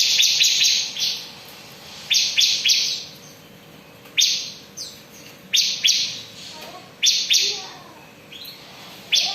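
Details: Continuous ngebren-style singing of a bar-winged prinia (ciblek): loud, raspy high-pitched bursts clustered in quick triplets, separated by pauses of one to two seconds, with soft lower chirps in between.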